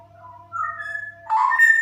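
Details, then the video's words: Female straw-headed bulbul in 'super ropel' song, opening with a steady low whistle under rising clear notes, then bursting into a loud, rich, bubbling warble that carries on to the end. "Burung Cucak Rowo Betina Super Ropel"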